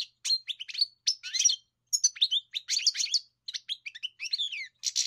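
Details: European goldfinch singing a fast, jumbled twitter of high tinkling notes, trills and short buzzy phrases, delivered in quick bursts with brief pauses, in a clean recording.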